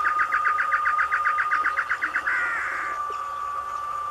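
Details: Male great antshrike in the caatinga delivering its song: a fast series of about fifteen sharp repeated notes that quickens, ending in a harsh, snarling rattle, with a steady insect-like whine underneath.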